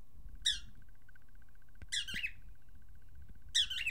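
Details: Pet cockatiel indoors, absorbed with its reflection: three short harsh chirping calls with downward sweeps, spaced about one and a half seconds apart, over steady low room hum.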